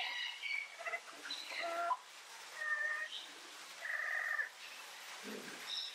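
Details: Yellow-headed amazon, possibly subspecies ochrocephala, filmed close-up, giving a series of harmonic squawks and nasal calls at irregular intervals over faint background hiss.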